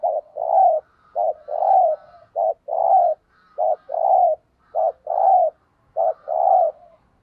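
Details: Decoy spotted dove in steady 'thúc gù' cooing meant to provoke wild doves: a brisk clipped note followed by a longer rounded coo, the pair repeated regularly about every second.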